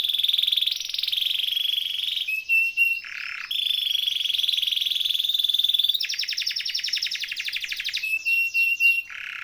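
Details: Canary delivering a varied rolling song, meant as a tutor for canaries that have gone quiet: long buzzing rolls alternate with short pure whistled tones and lower slurred notes.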